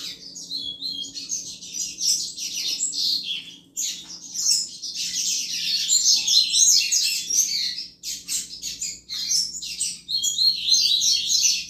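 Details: Song of a double-collared seedeater, used to excite other males: rapid chattering trills and buzzy high phrases in bursts separated by short gaps, with a faint low hum underneath.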